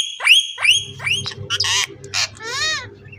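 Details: Talking parrot at a Karachi bird market; two sharp rising whistled calls followed by raspy, speech-like squawks and a drawn-out nasal phrase, with low background hum.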